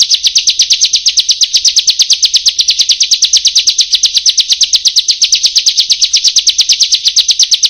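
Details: Bar-winged prinia heard in a training recording meant to get lazy birds singing: a sustained, fast, even trill of high, buzzy chipping notes, with no other sounds.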